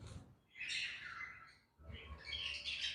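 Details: Budgerigars in a breeding colony setup with chicks: bursts of harsh, raspy chattering chirps high in pitch, two main bouts separated by a brief pause, with faint low indoor rumble.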